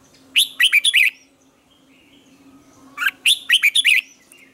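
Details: Red-whiskered bulbul singing a lure-bird morning song for training: two loud phrases of five or six bright, curling whistled notes, about two seconds apart, over a faint steady hum.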